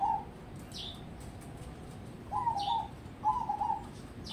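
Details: Contest-prospect crossbred perkutut, or zebra dove, delivers two closely spaced rolling coo phrases after a pause, joined by sharp, high falling chirps from a second bird over a soft background hiss.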